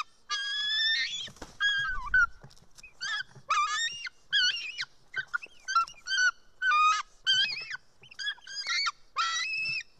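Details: White-tailed eagle chick at an Estonian nest on 4 July 2018, early afternoon, begging while a parent arrives with fish: a fast, jumbled run of short shrill chirps and piping notes, some dropping in pitch, about twenty in ten seconds.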